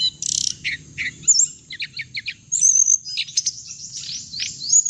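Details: Hồng hạnh bird recording used as playback to lure birds into traps: rapid high chirps and twittering notes with sharp upward and downward sweeps, plus a steady thin high whine throughout.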